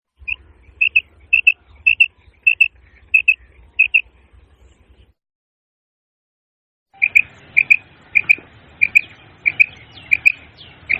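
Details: Female quail calling: short, sharp, high paired notes, repeated about every 0.6 seconds in a steady run. A two-second silence follows, then the pairs resume over a rougher background hiss.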